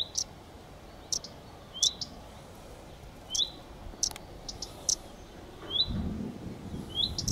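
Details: Common redstart (Phoenicurus phoenicurus) repeating sharp high ticks interspersed with rising whistled 'hweet' notes in an irregular series; a low rumble rises toward the end.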